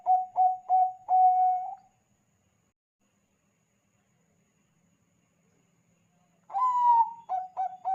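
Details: Bangkok-type zebra dove singing to lure other doves into calling: a run of short mellow coos ends in a longer drawn-out coo, then falls silent for four seconds before a second bout of rising coo and clipped repeated notes begins.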